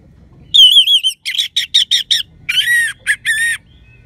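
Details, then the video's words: Orange-headed thrush with a 'crystal' voice, singing to stimulate silent birds: a loud wavering whistle, then a rapid series of rich harsh-edged notes and a couple of longer, fuller slurred phrases. "Gacornya ANIS MERAH Suara Kristal Bagus Untuk Pancingan Burung Lemas ataupun Macet"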